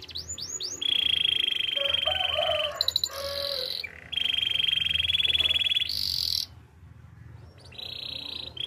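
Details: Belgian canary singing a training song: brief rising sweeps, long bright rolled trills broken by low gurgling notes, a short pause, then another roll.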